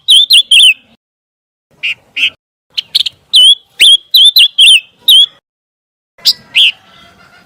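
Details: Scarlet minivet call recording intended as training material for shamas. Bright, high whistles rising then levelling arrive in quick uneven clusters, with a few harsher chips mixed in and a short pause midway.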